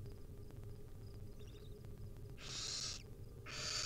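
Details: Wild barn owl nestlings in a nest being fed tiny bits by their mother, giving two loud, harsh, hissing screeches that follow a stretch of quiet low hum.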